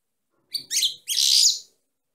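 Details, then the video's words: Female goldfinch song, a quick run of high chirps leading into a dense, buzzy twittering phrase about a second long, with no background noise. "chant femelle chardonneret - .Canto femeninas jilguero"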